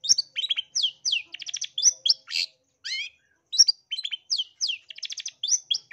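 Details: Long-tailed shrike of East Java origin, a lure recording used to make shrikes sing aggressively. Fast, varied chatter of sweeping whistles and short rattling trills in repeated phrases, with one brief pause midway.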